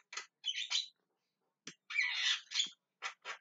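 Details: Harsh calling from a Javan myna: two quick scratchy notes, a pause, then a long grating squawk followed by a pair of short rasps at the end.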